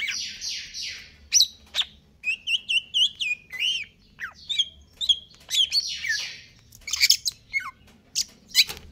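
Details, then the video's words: Caged greater green leafbird in stable condition singing a long aggressive rapid-fire song: hissy opening notes, then a varied run of sharp whistled slurs, rising and falling chips and buzzy trills, delivered almost without pause. "cucak ijo konslet kejer nembak"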